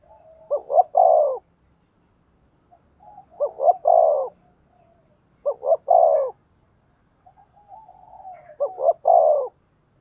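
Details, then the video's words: Spotted dove decoy cooing to attract wild doves: four deep phrases about every two and a half seconds, each two short hoots leading into a longer rolling coo, soft purring notes in between. "Tiếng Chim Cu Mồi gáy gù đấu giọng may bổi, bổi nhà nghe nhanh"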